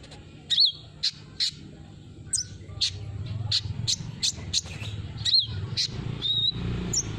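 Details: Olive-backed sunbird used as a lure for a silent bird: sharp, high chirps and slurred whistles in irregular runs, with a low rumbling hum building in the background.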